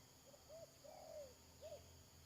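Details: Decoy spotted dove used for trapping, late May 2022, giving short arched coos and one longer sliding coo, fairly quiet beneath a steady hiss and low hum.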